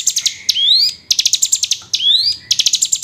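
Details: Hill prinia call used as a lure to get lazy hill prinias singing actively: bursts of rapid, evenly spaced high chips alternate with drawn-out rising slurred whistles, the pattern repeating twice; quiet background.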